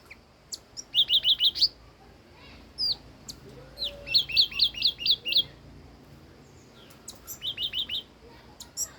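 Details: Old wild red-whiskered bulbul singing: three bursts of quick, bright chirping notes, each burst a run of four to six rising notes, separated by short pauses with scattered single chips.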